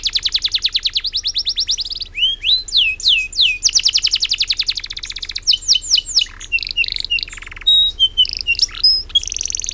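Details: A canary, loud-voiced with long breath, sings long, unbroken runs of fast, high trills, switching between rolling chatter and sharp swooping whistles, over a faint low hum.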